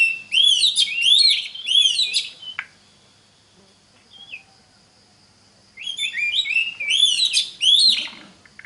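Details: Oriental magpie-robin song used as a lure to teach other magpie-robins to sing: loud bursts of rich, rising-and-falling whistled and chattering phrases, a quiet pause of about three seconds, then the phrases resume.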